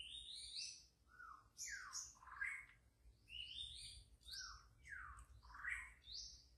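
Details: White-rumped shama singing in wild forest: repeated rising and falling slurred phrases with high buzzy accents, pausing briefly between bursts, over a low background rumble.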